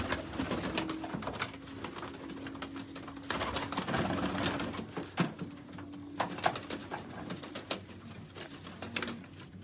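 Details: A Sialkoti domestic pigeon gives low, droning coos that rise and fall in a hum, broken by sharp clicks and wing flutters in a small enclosed space.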